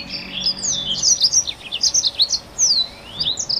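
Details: A black-throated canary (Crithagra atrogularis) sings vigorously, a song used to lure or tutor other finches: a fast, continuous warble of high, sweeping whistles and trills, mixing rising and falling notes with no pauses.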